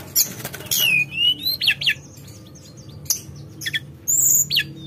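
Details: Javan whistling thrush singing in a flute-like, long-rolling manner, giving a falling slurred whistle, short sharp notes, and a sustained high whistle near the end.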